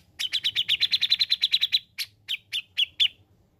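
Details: Grey-cheeked bulbul singing energetically as a model for training captive birds. A fast chattering train of about fifteen even, high notes is followed by a few slower, separate chirps.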